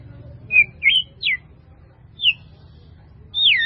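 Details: White-rumped shama, a masteran recording: scattered short high whistled notes, each sliding steeply up or down, spaced about half a second to a second apart, with a quiet background hum.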